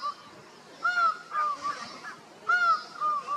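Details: In Costa Rica, a laughing falcon calls out to others with two loud arched notes, each trailed by quieter dipping notes, about a second and a half apart.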